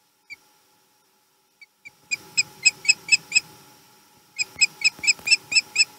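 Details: Male osprey returning to its nest on the Chesapeake, 22 March 2020: a few faint chirps, then two bursts of loud, high whistled chirps, each about seven or eight notes evenly repeated in quick succession.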